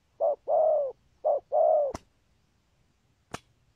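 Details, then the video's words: Spotted dove with a 'có bài' song style and 'thúc gù' coos. Two quick pairs of soft hollow coos, each a brief note then a longer one, followed by two sharp clicks. "Chim Cu Có bài, rước tốt, có thúc gù"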